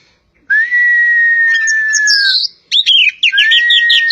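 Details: Kacer poci magpie-robin of Java: a long, even whistle held for about two seconds, then a jumble of quick, twisting notes and another sustained whistle.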